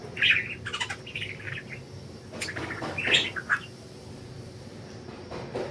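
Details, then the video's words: Free-flying pet budgerigars give bursts of warbling chirps, with quick clusters at the start and again around three seconds. The middle and the last stretch are quieter, with a faint low rumble underneath. "Budgies Enjoying Freedom and Chirping"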